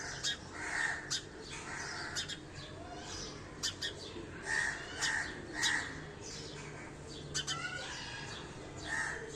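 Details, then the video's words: Sparrow chirping: loud, short, harsh chirps come irregularly, some in quick pairs or clusters, with brief pauses between bursts over a steady background hiss. "Sparrow Chirping Sound"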